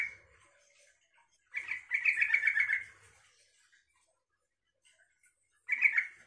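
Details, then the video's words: Yellow-vented bulbul singing to draw replies from other bulbuls: a short note, a quiet gap, then a lively gurgling phrase of over a second, and another brief burst near the end. "suara trucukan ini bikin trucuk lain nyaut dan ikut gacor"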